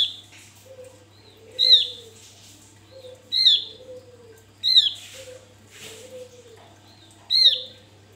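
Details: Male Javan grey-throated white-eye singing hard as a lure: piercing high downward notes roughly every 1.5 seconds, interleaved with softer low slurs and brief faint hissy sounds.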